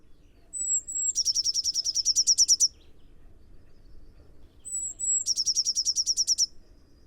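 Blue tit song: a thin, high introductory note or two, then a fast, even trill of about fifteen bright notes, given twice.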